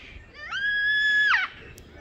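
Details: A Yellow-tailed black cockatoo (Zanda funerea) flying directly overhead, apparently in Sydney, gives one long, harsh, steady wailing flight call of nearly a second that falls away at the end.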